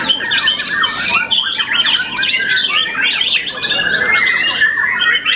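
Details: Champion young white-rumped shama past its first moult pours out a continuous, jumbled song of sharp chips, rising whistles and rattling trills.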